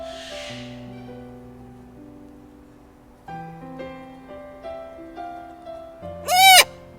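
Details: Pet macaw that speaks some Arabic, being carried around the house, gives one loud, harsh, ragged squawk lasting about half a second near the end, over steady background music.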